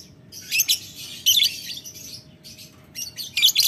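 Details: Lovebird calling a rival in the ngetik ngekek style: harsh, high, buzzy chattering bursts in two clusters near the start and middle, then a fresh run of scratchy chatter toward the end.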